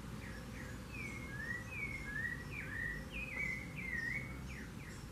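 Rufous-bellied Thrush singing a steady run of clear, fluty whistled phrases, each slurring up or down, over a low background rumble.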